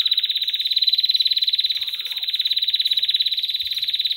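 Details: Singing canary delivering a steady, fast, loud trill of rapid repeated notes, unbroken throughout.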